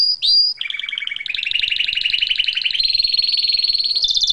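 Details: Domestic canary in song: a short high whistle, then a long rapid trill that steps upward in pitch and speeds into a fast rattling roll.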